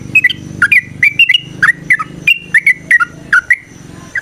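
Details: Sooty-headed bulbul lure song: a steady flow of varied, rich whistled notes, some rising and some dropping, delivered in quick irregular succession over a low background hum.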